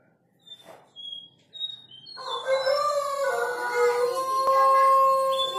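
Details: Jongkangan, also called cingcoang, singing in full voice in a flute-like style: after a few thin high whistles, a sustained run of rich, steady, fluting notes with layered harmonics, holding level tones and shifting pitch.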